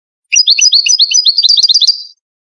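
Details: Moroccan Ouidani European goldfinch singing, intended to teach chicks: a nearly two-second run of rapid, bubbling twitters that quickens toward the end.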